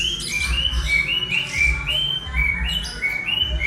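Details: Eleven-month-old white-rumped shama imitating a lyrebird: a run of repeated, slightly rising whistled phrases, each about half a second long, over steady low rumbling background noise.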